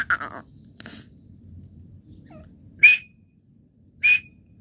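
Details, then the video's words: Partridge (teetar) gives two loud, harsh call notes about a second apart, each with a brief whistled centre, after a couple of softer noisy sounds, with low rumble behind. "teetar calling sound / तितर की आवाज. partridge voice"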